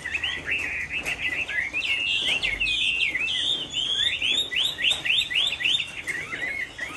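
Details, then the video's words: A Chinese hwamei in Hai Phong sings on a rainy afternoon, pouring out a fast, varied run of loud whistled and slurred phrases that rise and fall without pause, over faint background hiss. "Họa mi hót chiều mưa"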